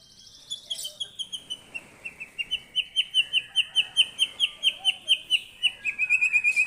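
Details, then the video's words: White-rumped shama song answering a lure recording, a fast rolling series of sharp whistled notes repeated at about two per second, steady and accelerating toward the end, with faint background rustle. "Kicauannya gak ada remnya !!! Tonton sampai akhir video Murai Batu Gacor ini"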